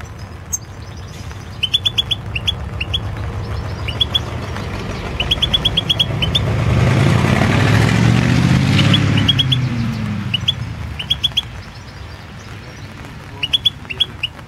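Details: 2016 championship entry of European goldfinch song: short bursts of high twittering notes recur every second or two, while a passing vehicle roars up and fades through the middle.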